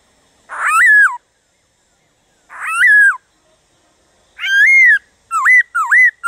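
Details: Laughingthrush singing, the song meant to spur other laughingthrushes into song: rich whistled phrases with a harsh onset and falling tail, spaced about two seconds apart, then three quicker dipping whistles in close succession.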